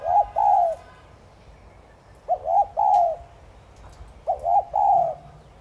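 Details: Spotted dove cooing in 'thúc gù' fashion to get kept doves calling. Three low mellow phrases arrive about two seconds apart, each a pair of clipped notes followed by a longer falling coo.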